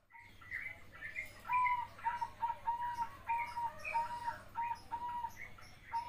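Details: A young zebra dove coos in a quick, stuttering run of soft, mellow notes, repeated steadily for several seconds over a faint low hum.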